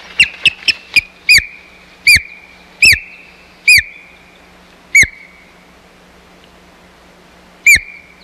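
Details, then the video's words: Osprey calling at the Hog Island nest on 4 May 2020 during a fight over the nest: a quick cluster of short chirps, then loud whistled yelps slowing to one every second or more, each with a ringing tail. "Nestoration ends in Fight over Nest - Hog Island Osprey Nest"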